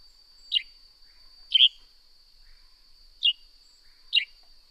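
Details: Northern grey-headed sparrow calling: four short, sharp chirps falling steeply in pitch, spaced unevenly about a second apart, over a constant thin high-pitched whine in the background.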